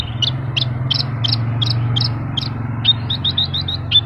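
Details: Vigorously singing Horsfield's bush lark gives short high chirps spaced about every third of a second, ending in quicker clipped notes, against constant low droning noise.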